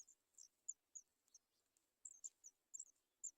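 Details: Sooty Chat chicks, three nestlings waiting to be fed, giving thin, very high-pitched squeaks in uneven clusters of one to three notes, about every quarter to half second.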